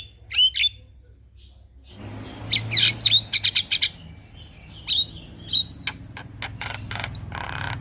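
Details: Lure song of a male Javan myna meant to make other mynas answer: clear rising whistles, then clusters of quick ticking notes and more whistles over a background rumble.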